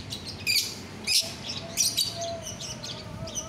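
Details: Lovebird, biola euwing green mutation, recorded 24 November 2021, uttering quick shrill chirps and rasping squeaks about twice a second against a constant low background noise.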